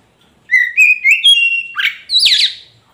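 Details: Magpie robin, kacer poci, singing a lure phrase for a bird that has gone quiet: steady rising whistles in three steps, then two harsh, buzzy, downward-sweeping notes at the end.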